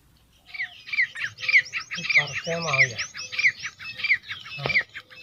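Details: Partridge calling in a repeated sequence of harsh, buzzy notes, each with a quick sliding accent, roughly one and a half per second, while low murmuring sounds rise in the middle and a click ends the run.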